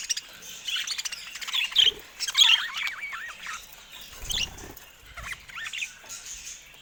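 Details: Caged budgerigars pestering a camera give quieter twittering warbles with wavering, rising-and-falling squeaks, plus faint rustling and low bumps.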